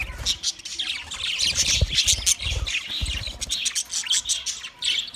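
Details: Dense, loud budgerigar chatter from twenty pairs: harsh squawks and scratchy chirps pile up without pause, while low thumping sounds from perch or cage movement run underneath.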